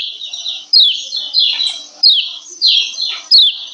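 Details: A 'ciak ciak' call from a female lemon-bellied white-eye, used to raise males' arousal so they sing often: sharp high chirps with falling sweeps, each burst starting abruptly about every 0.6 seconds, separated by quieter fading notes.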